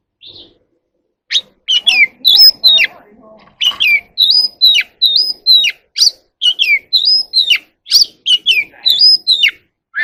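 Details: Oriental magpie-robin singing and dancing in the evening: a run of loud, clear whistled phrases, each rising or dropping with sharp upward flicks. The notes come in quick bursts, about two or three a second, with short pauses between.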